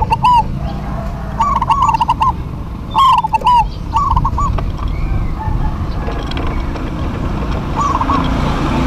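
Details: Duet of local zebra doves: a series of loud rolling, bubbling coo phrases through the first half, then quieter gaps with one more faint phrase near the end, over low rumbling background noise.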